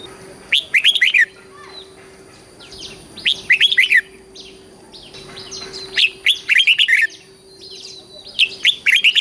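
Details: Red-whiskered bulbul singing a southern Thai master-song style used to train young birds: short whistled, warbling phrases repeated about every two and a half seconds, with faint softer bird notes between them.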